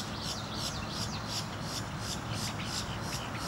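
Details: Snail kite at Lake Tohopekaliga, Kissimmee, Florida: a run of harsh, scratchy, rasping notes, about two or three a second, over a steady low rumble of wind.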